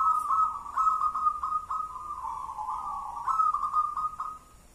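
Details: Zebra dove of local wild stock delivers a continuous soft rolling coo in the ngelaras, one-and-a-half engkel style, punctuated by short accented notes roughly every half second, fading at the end.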